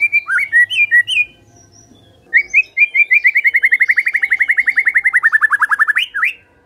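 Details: White-rumped shama song used as a lure to make other birds sing: clear whistled phrases, then a long fast series of rapid repeated notes sliding gradually downward, ending in a sharp upswept whistle.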